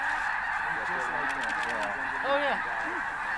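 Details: Wild snow geese lifting off en masse shortly before dawn, cold December, Bosque del Apache National Wildlife Refuge; dense honking chorus with distinct nearer barking calls rising and falling.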